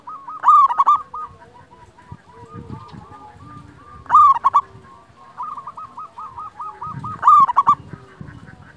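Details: Zebra dove of a local type, recorded to lure doves and spur quiet ones to sing. Three loud cooing phrases of rapid clipped notes come roughly every three seconds, separated by long soft trilled coos from other doves.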